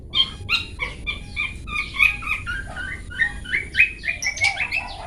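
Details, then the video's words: Long-tailed shrike singing in the 'toet toet' style, recorded as a tutor song for training pet birds: a busy run of varied chattering and whistled phrases with bright, harmonic notes, rising into denser, scratchier twitters toward the end. "Cendet toet toet Cocok Untuk Masteran Cendet macet"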